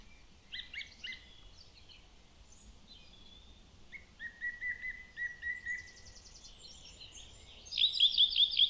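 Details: A Blackcap sings on Staines Moor on the morning of 13 May 2024: quick, varied warbling phrases ending in louder, clear repeated notes, with a song thrush, blackbird and other songbirds and a soft outdoor hiss behind.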